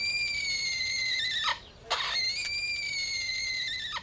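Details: An orphaned baby Sulphur-crested Cockatoo in care at a vet clinic, which squeaks like a kettle and keeps whistling even after being fed, gives a long, steady, high-pitched whistle broken twice by rough scratchy bursts.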